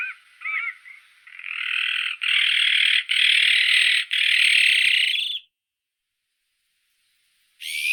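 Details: Azure-winged magpie giving harsh, buzzy, noisy calls: a few short arched notes, then long rasping bursts of about a second each, repeated back to back, ending in silence.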